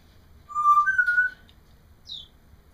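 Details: Pet parrot at home: a loud two-step whistle, holding one pitch then jumping higher, followed by a short, faint, high falling chirp.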